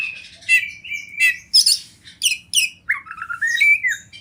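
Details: Oriental magpie-robin, a champion bird from the wild, singing for song training: clear whistled notes with harsh rattling accents, ending in a rising then steady whistled phrase.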